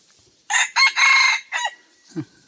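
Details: Red junglefowl; crow; decoy bird crowing to lure wild junglefowl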